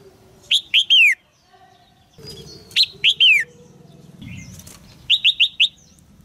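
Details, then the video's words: Caged female red-whiskered bulbul calling to stimulate a young male to sing: three bursts of loud, slurred, descending whistled notes, two to four notes each, with quiet rustling and low cage noise between. "นกหัวจุก birds - นกตัวเมียร้องเจี๊ยก ๆ ในกรงเพื่อกระตุ้นให้นกหนุ่มร้องอย่างไพเราะ"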